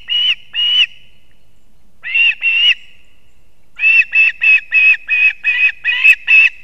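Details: Osprey at its Latvian nest, male delivering two fish to the chicks at dawn on 3 September 2024; a few strong whistles, then a steady rapid series of about ten piping calls.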